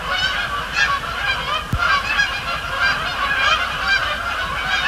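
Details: Canada geese honking in a large group at night at Sapsucker Woods Pond as they fly over and splash down; dense, loud overlapping honks throughout, a single sharp click near the middle.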